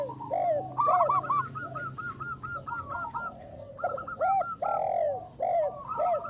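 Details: Loud local zebra dove used as a lure sings a long series of quick, evenly spaced staccato coos, broken by fuller arched coos and a drawn-out mellow note.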